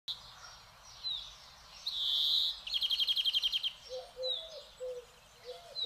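European greenfinch gives a drawn-out nasal wheeze, then a quick dry trill of about a dozen notes, with scattered chirps. Soft low whistles follow near the end.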